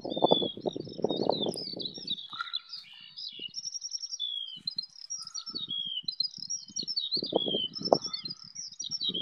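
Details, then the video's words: A skylark sings in flight over a wheat field near Bath, England, filmed on an iPhone. It pours out a fast, high, varied warble with buzzy trills and chirps, while low wind gusts come and go. "Skylarks singing in flight"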